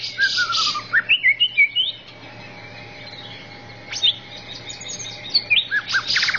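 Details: Greater green leafbird on a tutor recording, singing fluty falling whistles and short chirp series, then a quieter stretch before more quick high notes, with a thin steady tone in the background.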